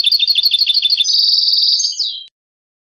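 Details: European goldfinch song taken from a CD: quick repeated twittering phrases lead into a long bright buzzy trill, finishing with a falling slurred note, clear and close.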